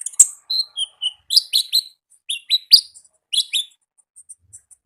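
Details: Konin singing lively wild-style "gacor ngalas" song: sharp high chirps and short whistled notes in quick bursts, some dropping in pitch, with brief pauses between groups and faint tail notes at the end.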